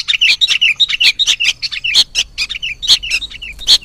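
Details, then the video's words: Sooty-headed bulbul chicks beg with a dense stream of high, sharp chirps, several each second, overlapping in a busy, insistent chatter, used as a lure call. "Suara PIKAT Anak Burung KUTILANG"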